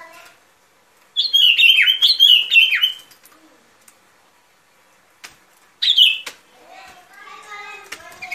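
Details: Sooty-headed bulbul song used to lure birds into traps: a two-second burst of rapid, warbled whistles, then silence and a second short whistled phrase, followed by softer chattering notes.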